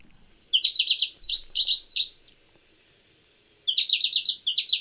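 American goldfinch giving two quick bursts of bright, high chirps, each a rapid run of clipped notes lasting about a second and a half.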